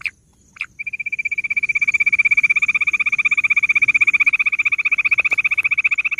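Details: Bush quail: two short notes, then a loud, fast, even trill of high pulses, about four a second, sustained for over five seconds.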